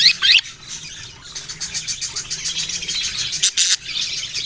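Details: Budgerigar chirping opens with a loud squeaky burst, followed by steady rapid pulsing chatter, several short notes a second, from a group of birds.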